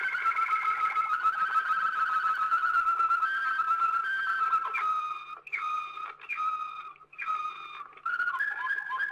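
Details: Waterslager canary from an old Belgian record, singing long smooth whistled rolls that waver in pitch. These give way to a string of short, clipped notes repeated about twice a second, then broken warbling phrases.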